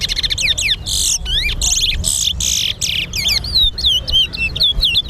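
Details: Towa towa (chestnut-bellied seed finch) singing in a bird competition at Sheriff Street bird ground, Guyana: a fast run of high whistled, sliding notes and rasping buzzy bursts, nearly continuous, with low background murmur.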